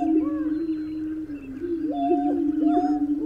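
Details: Greater prairie-chicken: a deep steady drone that dips slightly, with a few looping whoops and flat higher tones laid over it.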